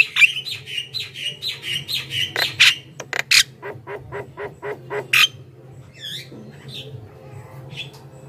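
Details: Javan myna singing continuously, a recording meant to lure wild mynas: a quick run of harsh squawky notes and whistles, then a string of clipped rasping bursts and a few wheezy rising whistles over a steady low hum.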